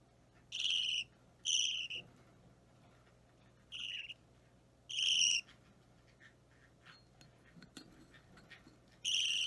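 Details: Budgerigar nestling of about three weeks being hand-fed, fidgety: five harsh nasal begging squawks at irregular intervals, some close together, some spaced several seconds apart, with faint clicks and rustles between.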